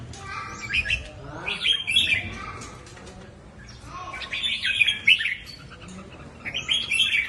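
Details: Three separate warbled phrases from a red-whiskered bulbul, each a quick rising and falling jumble of notes, with quiet rustling stretches between them.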